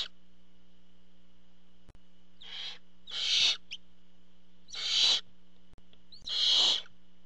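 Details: A nest-camera recording of barn owls as a parent arrives with food. Five rasping hiss bursts follow one another, rising in loudness and roughly one to one and a half seconds apart, with a constant background hum.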